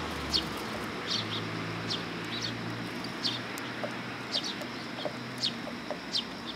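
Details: At a Tenmangu shrine on 1 September 2022, a willow tit comes for food, giving brief high chirps in loose bursts, some doubled, with a few fainter lower ticks and a soft low hum behind.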